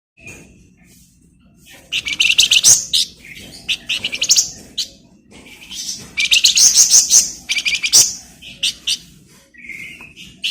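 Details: Flamboyan bird singing energetically, used as a model song for training magpie-robins: bursts of rapid, high, chattering trills and sharp chirps, separated by short pauses, with a few thin whistled notes.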